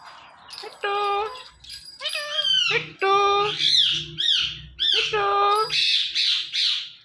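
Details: Talking pet parrot indoors produces loud, drawn-out meow-like notes in quick succession, some bending upward into squeaky, chattering tones, with a low background hum.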